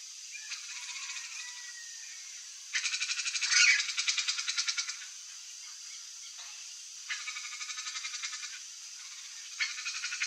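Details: A young wild turquoise-fronted amazon (Amazona aestiva) gives three bursts of rapid, harsh, rattling pulses, each lasting one to two seconds, with a faint hiss in between.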